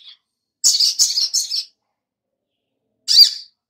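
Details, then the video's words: Sogok ontong, or little spiderhunter, meant as a singing lure: a quick burst of three harsh, high notes, then silence, then one more sharp note. "Pancingan SOGOK ONTONG Biar NYAUT GACOR || Pancingan Sogon biar Bunyi"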